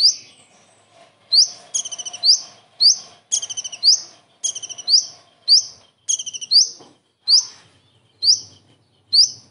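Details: Common iora singing full kingfisher imitation. Rattling chatter bursts and bright upward-flicked whistles are repeated steadily, the later phrases reduced to lone rising whistles. Faint low murmurs lie in the background.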